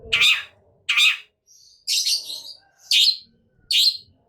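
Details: Long-tailed shrike, agitated and in full song: five harsh, raspy, broadband notes spaced just under a second apart, with a faint thin whistle between them and a low background rumble.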